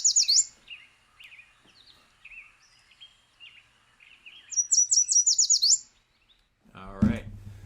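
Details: Yellow Warbler song, the "sweet, sweet, sweet, I'm so sweet" pattern: bright, high, sweet whistled notes running into a quick, accented flourish, sung twice, then a man's voice breaks in. The species breeds across most of the US and sings all summer.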